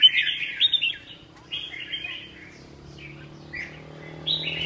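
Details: Red-whiskered bulbul opening with a loud chattering warble, then shorter scratchy phrases spaced by pauses, over a steady low electrical hum.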